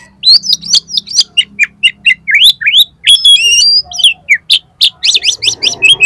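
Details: Oriental magpie-robin in full, lively competition-style song with 'miuntah' filler material, used as a lure for contest birds: rapid run of loud, sharp upslurred whistles and chips, then varied trills and buzzy notes, over a faint low hum.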